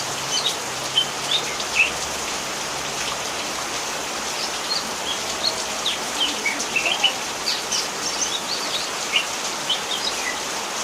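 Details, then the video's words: Greater green leafbird from Banyuwangi singing during rain; brief high chirps and short whistled notes scattered through the clip, some in quick clusters, partly masked by steady hissing rainfall. "Rahasianya Kocehan cucak hijau ketika hujan."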